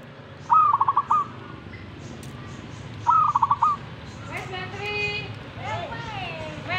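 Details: Zebra dove responding to a master recording with two rolling, trilled coo phrases about two and a half seconds apart, followed by other harsher harmonic calls and voices in the background.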